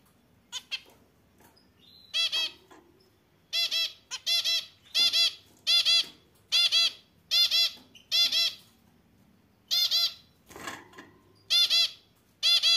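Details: Zebra finch singing: loud, nasal, harmonic-rich notes given singly, in pairs and in short runs. Each note lasts about a third of a second, with bursts about every second. Soft rustles and clicks fill the gaps.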